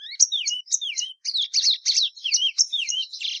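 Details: Plumbeous seedeater (patativa verdadeira) singing clear, looping whistled notes that slide downward, alternating with brighter twitters in a lively, tumbling pattern.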